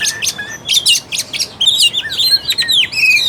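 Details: Kacer, the Oriental magpie-robin, in energetic full song used to rouse a reluctant caged bird to sing: dense run of sharp chips, buzzy high notes and sliding whistles delivered rapidly without pause, clear over a quiet background.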